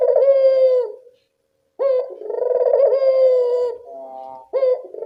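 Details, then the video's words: Barbary dove cooing in the evening, used as a lure for reluctant doves: a rough rolling coo, then after a short silence a long drawn harmonic coo, a softer lower note and the start of another coo. "Suara burung puter senja hari pemikat burung puter malas bunyi"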